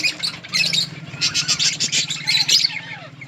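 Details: Budgies eating green leaves in a colony give rapid pulsed chattering chirps in quick bursts, over a steady low hum in the background.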